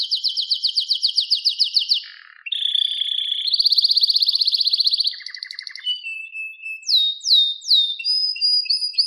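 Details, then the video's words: Canary song for teaching a canary to sing: a rapid rolling trill, then buzzy sustained rattles at changing pitches, ending in loud upward-sweeping whistles and a repeated high chirp. "Wonderfull Canary Singing"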